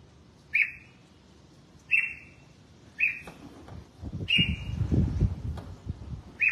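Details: Caged red-whiskered bulbul being bathed and set out in the sun: short bright whistled notes with a sharp rising onset, repeated about every 1.3 seconds. Low rumbling and knocking noises come in the middle.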